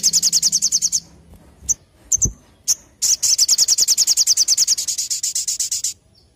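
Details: Olive-backed tailorbird song in the sogon nembak style: a fast string of piercing, high, evenly spaced notes, a pause with scattered chips, then a longer rapid run of about 35 repeated notes.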